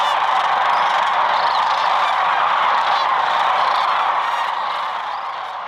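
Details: A large flock of Sandhill cranes (Antigone canadensis) arriving at sunset to roost on the Platte River, Nebraska, during migration, gives a dense, unbroken chorus of rolling, trumpeting rattles, many voices overlapping.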